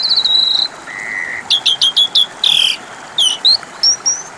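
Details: Asian pied starling lure song: a high sustained whistle, a lower steady whistle, then a burst of rapid clicks, a harsh rasp and a few rising squeaky notes.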